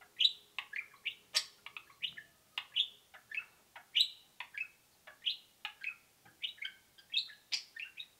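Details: Two indoor pet budgerigars give a steady stream of short high peeps and chirps, roughly several per second, with a faint low hum in the background.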